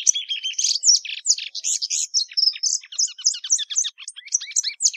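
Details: Plumbeous seedeater delivering a lively song of slurred whistles and buzzy phrases, speeding into a quick string of repeated chirps.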